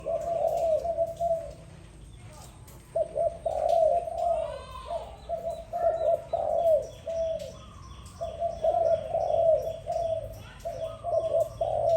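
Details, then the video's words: Dove calling in the morning: soft, low cooing phrases held steady in pitch, repeated in runs with short gaps, with faint higher chirps of other small birds in the background. "Sound dove, Sweet sound of dove in the morning, good sound"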